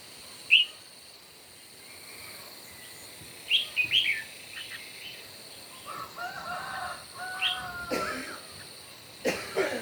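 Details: Red-whiskered bulbuls in a morning singing contest: short bright chirped notes rising and falling in brief bursts, with lower drawn-out tones from other birds and a steady high hum behind.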